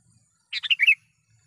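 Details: A single bubbly phrase from a sooty-headed bulbul calling a rival: four or five rapid chirped notes tumbling downward into a bright warble, in near silence.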